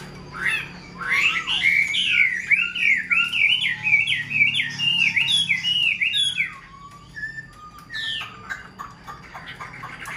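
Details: Caged, hand-tamed Chinese hwamei singing: a rapid run of loud, slurred whistled notes rising and falling, sweeping up and down continuously for about six seconds, then sparser scattered chips and clicks.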